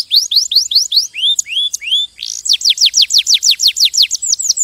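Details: Canary singing: high, rapid series of downward-swept whistled notes, a few slower rising slurs midway, then a fast, loud run of repeated sweeping notes to the end; faint low hum beneath.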